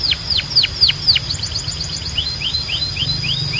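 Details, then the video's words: Canary singing: several loud, sharply descending whistled notes, then a softer series of short rising chips repeated rapidly, with a low background hum. "Ultimate Canary Singing Compilation – Loud, Clear & Relaxing Sounds"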